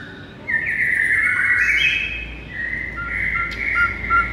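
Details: White-rumped shama song, used to lure and rouse a listless bird: smooth sliding whistles descending, then sustained clear mid-pitched whistled notes over faint background hiss.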